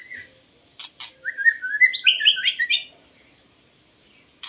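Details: Song of the white-rumped shama, Copsychus malabaricus, used to lure birds: a fast bright run of rising, stepped whistles, framed by sharp clicks, over a constant faint high tone.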